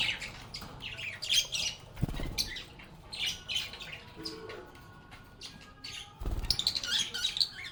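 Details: Lovebirds chirping busily among each other, high squeaky twitters in dense bursts, interrupted twice by loud clattering knocks, like birds moving or playing in their enclosure.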